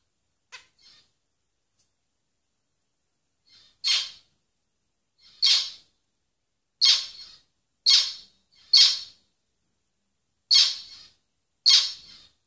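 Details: Zebra finch (Taeniopygia guttata), song.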